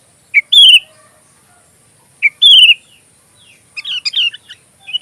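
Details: Sooty-headed bulbul, an active singer recorded as filler song for oriental magpie-robins: two matching phrases, each a short note then a descending slurred whistle, about two seconds apart, followed by softer chattering notes.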